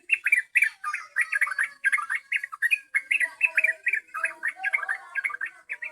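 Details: Busy, bubbling yellow-vented bulbul song meant to attract birds: closely packed chirps and short warbles in a steady stream, with soft lower whistled notes running underneath.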